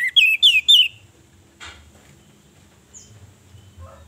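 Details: Three clear descending whistled phrases from a female orange-headed thrush, sung to provoke males into singing out of mating urge, followed by quiet with a faint rustle.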